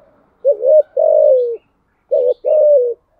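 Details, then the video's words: Spotted dove giving THÚC GÙ style cooing, two phrases each with a brief rising hook and a longer smooth coo that slopes down, low-pitched and clean. "Tiếng chim cu gáy bài bản THÚC GÙ"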